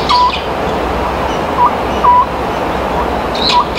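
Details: Spring night call of an Oriental scops owl, two beats said to mean a bad year and three a rich harvest: brief hollow hoots, a short note followed by a longer one, over a steady hiss.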